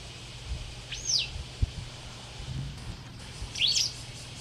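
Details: White wagtail (Motacilla alba) in a garden during summer, gives two sharp, high, slurred call notes about two and a half seconds apart over a low steady hum.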